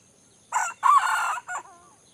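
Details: Wild junglefowl of Aceh, Indrapuri, giving a three-part crow: brief rough first syllable, long drawn buzzy middle section, then a short closing note, with near silence before and after.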